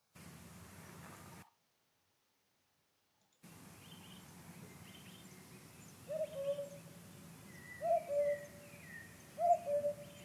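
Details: Common cuckoo song, three low, falling two-note 'cu-coo' phrases about every one and a half seconds, faint higher calls of other birds and a steady background hum; played for comparison with the African cuckoo.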